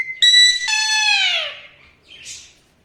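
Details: Alexandrine parakeet producing a brief steady whistle that jumps into a loud, rich, downward-gliding call lasting about a second, then a short soft raspy note.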